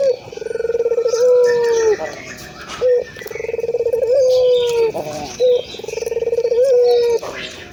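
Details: Ringed turtle dove (local puter) giving long, drawn, slightly buzzy coos that rise briefly and then hold level, each preceded by a short note, repeating about every 2.7 seconds, with music in the background.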